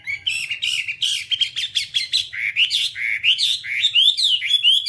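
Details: Whambie song played nonstop as a training recording for caged whambies: a lively run of rapid whistled and chirping notes, mostly high, with upswept slurs and short buzzy bursts repeating about every second.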